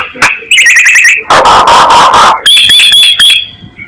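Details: Myna decoy calling: a sharp click, a bubbling rattle, loud harsh rasping bursts, then a thin high whistle over chatter.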